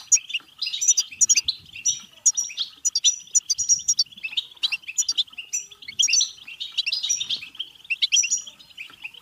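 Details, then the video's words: European goldfinch singing, used to encourage singing and breeding: lively, unbroken jingle of tinkling notes, rasping trills and short piercing whistles, delivered in quick irregular bursts. "بتبتة حسون فعالة و رهيبة لتحفيز الحسون على التغريد و التزاوج و الهيجان سيغرد دون توقف"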